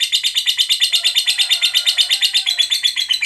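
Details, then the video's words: Lovebird in long ngekek chatter, used to provoke other lovebirds into singing: a dense, rapid, harsh buzzy rattle of pulses, about three per second, held throughout without a break. "Suara Burung Lovebird Ngekek Panjang, PANDAI Pancing EMOSI"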